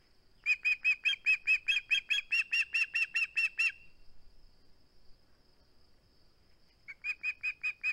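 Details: Osprey at its nest on 21 August 2020, via live cam, not keen to part with its flounder: a long run of about fifteen shrill, rhythmic chirps, a quiet gap of three seconds, then another rapid series begins.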